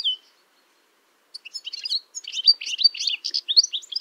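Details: A male European goldfinch (Carduelis carduelis) singing in spring, a typical quick, tinkling jumble of high twitters and bright, liquid notes.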